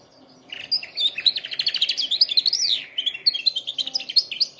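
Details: Canary singing, used for training canaries: after a short silence, a dense rapid trill of high chirps with rising and falling sweeps, continuous to the end.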